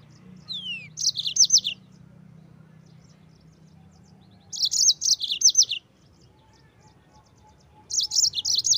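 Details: Yellow-fronted canary song used to train Oriental white-eyes: one descending whistle, then short bursts of rapid high chirping roughly every three seconds with quiet gaps between, a soft low hum in the background.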